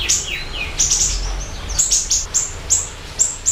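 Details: High siri-siri bird phrases, starting with slurred descending whistles and then moving into a steady sequence of crisp, very high chirps roughly every quarter second.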